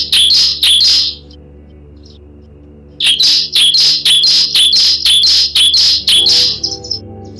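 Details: Bar-winged prinia song, used as a lure to make other prinias sing: sharp, high chipping notes, a quick pair and then a run of about ten repeated at three per second, over a faint low hum.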